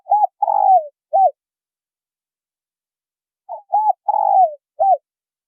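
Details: Luring call of spotted doves, male and female. Two repeated cooing phrases about three and a half seconds apart, each with brief coos framing a drawn-out descending middle note, clean and quiet background.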